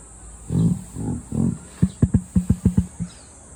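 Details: Emu kept at Satsukiyama Zoo in Japan resonating its low, belch-like voice: three drawn-out guttural grunts followed by a quick series of about eight sharp, deep drumming pulses, all very low and throaty.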